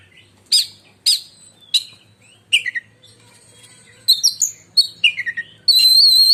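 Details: Indonesian kept oriental magpie-robin giving a shrill, lightning-like song: spaced sharp clicks and chips, then a fast string of whistled notes ending in a long, steady high whistle.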